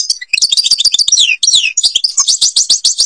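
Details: European goldfinch in Algeria singing a quick, dense jumble of high chirps, downslurred whistles and twittered trills, ending in a rhythmic series of repeated chips.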